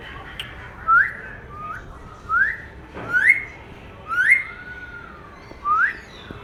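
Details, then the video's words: Pet Indian ringneck parrot, a talking bird, in the rain: a series of short rising whistles, each sliding upward and repeated roughly every 1.5 seconds, with a few faint clicks between them. "Talking Parrot"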